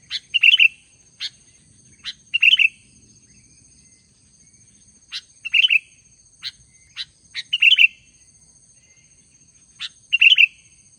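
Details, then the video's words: Albino Sooty-headed bulbul giving lively song: brief burbling whistled phrases repeated every two to three seconds, interspersed with crisp single high chip notes and short pauses, in an otherwise quiet setting. "kutilang albino gacor dor"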